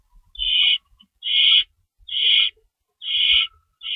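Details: Owls at their nest at feeding time, 3:53 am, March 25 2012, two rabbits stored nearby; five strong, steady hissing screeches, evenly repeated just under once per second.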